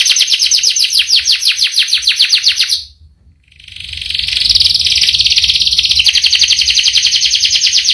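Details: Canary rolling out a long song: a fast high trill that stops abruptly, a short silence, then a dense, sustained buzzing roll; low rumble underneath.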